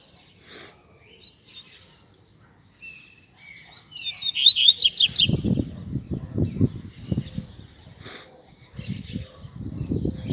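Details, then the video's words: Double-collared seedeater singing a tutor song in the Tui Tui Zel Zel style, used to train young seedeaters: a quiet start, then one loud burst of fast, high, downward-sweeping whistled notes with trills. Steady low thumping runs beneath. "Tui Tui Zel Zel Para Treinar Coleiro e Papa-capim"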